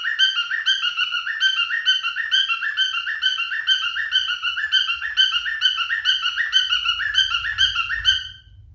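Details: Male cockatiel mating song: continuous rapid whistled chirps in a repeating wavy phrase for about eight seconds, ending abruptly, with a faint low rumble of handling noise near the end.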